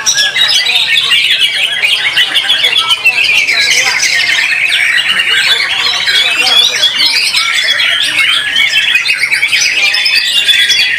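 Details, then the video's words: Murai batu, the white-rumped shama, singing at a competition, noted for melody, power and lasting performance; a continuous wall of rapid, high chattering and whistled notes from many birds together, with quick repeated trilled phrases. "Murai Batu BARRACUDA Tampil Mak Nyuss"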